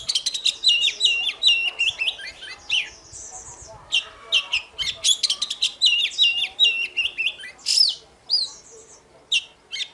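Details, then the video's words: Fighting song of an oriental magpie-robin sung in the morning: rhythmic repeated whistled notes in rapid series, buzzy chatter and clear slurs, bursts coming several times a second with short pauses between. "Chòe than hót đấu//Kích chòe hót sáng"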